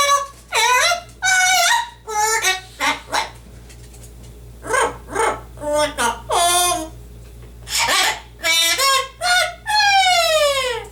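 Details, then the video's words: Pet male yellow-naped amazon parrot singing his own twist on "Oh Lord It's Hard To Be Humble" during his normal routine: a stream of high, tuneful speech-like syllables, ending in a long sliding, falling note. "Parrot Singing and Reciting a Dr. Seuss Book"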